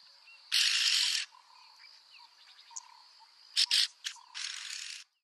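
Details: A yellow-billed oxpecker gives a long, harsh rasp. A pair of sharp clicks and a second hissing rasp follow. A thin, steady insect drone and faint chirps sound in the background.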